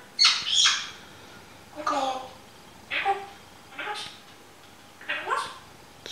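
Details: Pet African grey parrot indoors, newly taught to cluck like a chicken, gives five short harsh squawking bursts over six seconds, each a rough rising note with a brief pause between, in a quiet small room.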